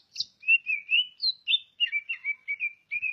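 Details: Varied song of a greater green leafbird from Ngawi, East Java: a steady chain of short whistled and slurred notes, mostly mid-high, delivered about three per second with occasional higher squeaky accents.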